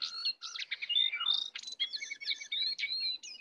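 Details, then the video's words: Sooty-headed bulbul in a singing contest, wild bird versus caged bird, full filler song: quick jumbled whistles, a falling slurred note partway through, then bright clipped phrases closely repeated. "pertarungan sengit antara Jongkangan liar vs jongkangan sangkar, full isian"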